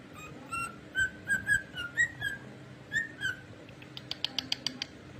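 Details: Singing pet cockatiel giving a string of clear whistled notes, some sliding upward, others dipping, with bright overtones, followed by a burst of quick sharp clicks near the end.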